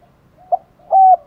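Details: Brief spotted dove coo for luring wild doves: a soft short note, then a smooth sustained hollow coo about a quarter second long.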